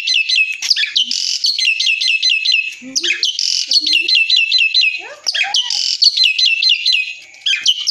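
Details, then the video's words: Energetic gacor dorr song of an Asian pied starling: runs of rapid, evenly spaced whistled notes alternating with grating buzzy bursts, repeated in loud cycles, with brief soft low notes between phrases. "jalak suren gacor dorr super mantap"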